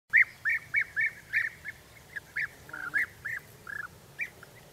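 European bee-eaters give liquid, rolling 'prruip' calls, a dozen in under five seconds at an uneven pace, over a low background hum.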